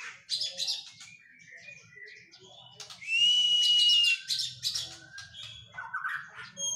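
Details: Moulted Oriental magpie-robin in physical training, giving a mixed song of chirps and short slurred whistles, then a loud, sustained, clear whistle lasting about a second, with a faint low hum beneath.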